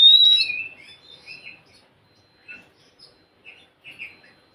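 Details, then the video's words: Oriental magpie-robin song played to coax a reluctant bird into singing: a loud opening whistled phrase followed by scattered soft, short scratchy notes at irregular intervals, fading toward the end. "Siulan KACER untuk kacermu yang malas bunyi"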